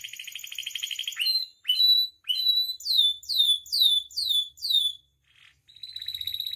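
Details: Canary song used to teach and excite captive birds: a harsh rapid trill opens, followed by sharp upslurred notes and a series of about six quick descending whistles, a pause, then a thin trill.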